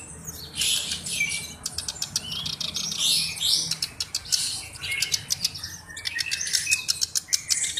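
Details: Black-browed reed warbler used as a tutor bird, giving repeated bouts of harsh scratchy chatter, rapid clicking rattles and brief rising whistles, each bout lasting one to two seconds.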